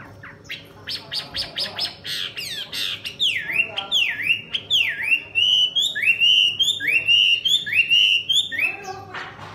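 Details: Wild-caught female Chinese hwamei, caged and tame after two seasons, which flaps its wings and fans its tail near a male. It opens with a quick run of sharp notes, then gives loud, clear swooping whistles, falling then rising, repeated about twice a second.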